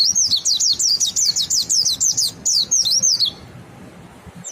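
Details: Monty bird singing ngalas to prompt others to sing, a rapid series of high, sweeping zigzag whistles, about three per second, for over three seconds, then near silence with a faint low background.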